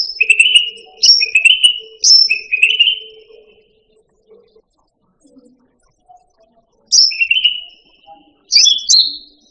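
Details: Cucak rante singing for masteran, the training of caged songbirds: three quick phrases, each a sharp high whistle dropping into a buzzy trill. About three seconds of near silence follow, then two more phrases, the last with rising whistled notes.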